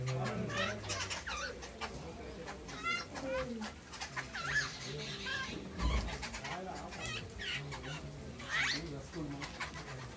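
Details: Several jungle babblers chatter in harsh, squeaky, overlapping bursts, eager for tidbits of vada and rusk at a tea-stall stop at Manjolai hill station, Western Ghats, Tamil Nadu, amid tea estates and evergreen forest, with murmuring voices behind.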